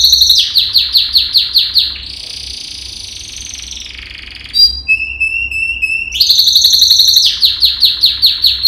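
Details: Yellow canary, Serinus canaria, singing a training song: rapid repeated descending notes, a long buzzy trill, short whistles and a steady pure tone, then fast repeated notes again.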